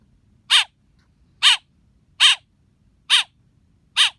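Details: Baby blackbird with five loud, hoarse chirps, evenly spaced about 0.9 seconds apart, in quiet surroundings.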